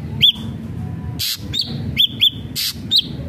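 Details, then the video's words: Ashy drongo in energetic song: sparse ringing whistled notes with bent tips, broken by two loud harsh rasping bursts, over a soft low background hum. "srigunting abu abu gacor"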